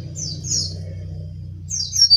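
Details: Brown-chested jungle flycatcher from Bali singing energetically: high, thin whistled phrases sliding downward, two bursts near the start and another near the end, over a steady low hum.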